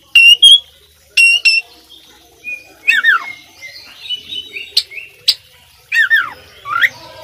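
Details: Oriental magpie-robin (kacer) singing vigorously in the full isian style: loud sharp strokes alternate with clear whistled notes, falling slurs and rising upslurs, broken by short pauses.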